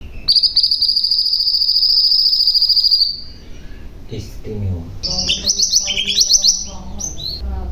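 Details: Common iora, called mantenan gunung, singing a long ngeroll (rolling) phrase: a high, sustained buzzy trill lasting about three seconds, then a pause with soft low noises and a burst of sharp, jumbled high notes.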